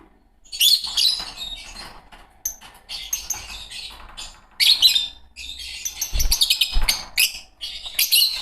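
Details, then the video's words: Fischer's lovebird pair, green birds, twittering almost continuously: high, scratchy chirps and squeaks in uneven bursts, with a couple of low thumps in the background. "Lovebird singing & chirping sounds"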